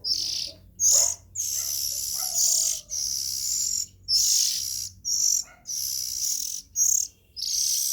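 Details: Juvenile Oriental magpie-robins calling: scratchy, breathy hisses in bursts about a second long, repeated steadily with short pauses.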